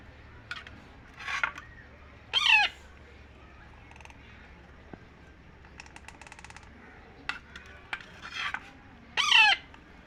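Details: Young Indian ringneck parakeet being fed, giving several short, harsh, grating squawks at irregular intervals, interspersed with soft clicks and rustling handling noises in a quiet indoor setting.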